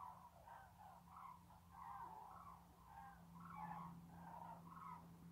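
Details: A flock of cranes on 14 February 2019, hailed as spring messengers, gives rolling, trumpeting calls that overlap continuously, mid-pitched and somewhat distant, over a steady low engine-like hum.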